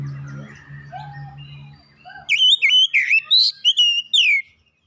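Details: Oriental magpie-robin gacor song, used as therapy to make a bird sing quickly: faint low hum and soft notes at first, then a loud burst of sharp whistled notes, rising and falling, in quick succession.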